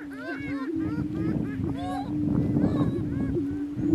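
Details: Two Greater Prairie Chicken males clash for dominance on a lek in northeast Kansas; a deep even hum persists under a run of laughing cackles and arching calls in the first half.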